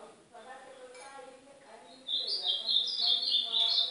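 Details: A northeastern Brazilian ultramarine grosbeak sings for training a pet bird: quiet low sounds for two seconds, then a loud, continuous, high warble of quickly shifting notes to the end.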